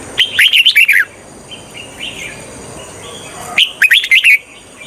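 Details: Red-whiskered bulbul used as a trapping decoy to lure wild birds: a rapid run of sharp, falling whistled notes, a soft gap with faint calls, then a second similar burst.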